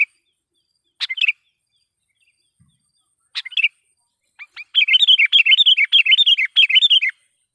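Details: Sooty-headed bulbul lure recording for provoking wild birds: two short bubbly phrases, then a long rapid run of repeated warbling notes lasting over two seconds.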